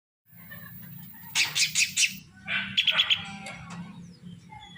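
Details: Srigunting krantil drongo, said to be singing more eagerly day by day: after a low steady hum, harsh buzzy bursts come in two loud clusters, the second with short ringing repeated notes.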